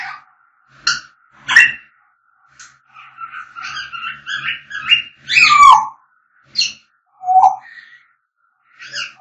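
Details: Singing African grey parrot delivering a busy mix of sharp clicks, rapid chattering whistles, a loud descending whistle and several abrupt squawks across nine seconds.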